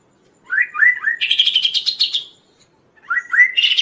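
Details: Kaso-kaso in full song, a recording meant for teaching and luring other birds: three rising slurred whistles lead into a long, rapid buzzy trill, followed by a pause and the same whistled opening again.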